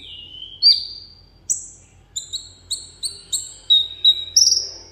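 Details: Pet sunbird in a cage singing in solo contest style: a long thin sliding whistle, then a quickening series of sharp, high double-toned notes, about three a second.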